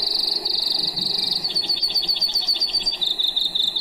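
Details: Brewer's sparrow long song, sung at the height of breeding: a high, buzzy trill that shifts into a faster rattling trill of rapid notes on a slightly different pitch, one after another, too fast to count, with steady wind noise beneath.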